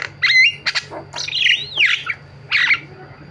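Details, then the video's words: Short burst from a Javan myna (jalak kebo) singing: a clear whistled note, a sharp click, then a drawn-out rising and falling squealing whistle and a final rasp. "BURUNG JALAK KEBO SUARA VARIASI"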